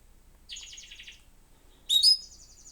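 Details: Pet male canary Julius in an apartment in Port Huron, Michigan, on March 1, 2025, while a canary singing-training video is played to coax him: a fast rattling trill of about three-quarters of a second, then bright, high whistled notes that slide and run on, over faint low hum.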